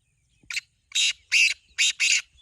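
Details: Five loud, coarse, buzzy notes from a black francolin in a calling match between two birds, delivered in about two seconds, the first short and lighter, the rest longer and harsher.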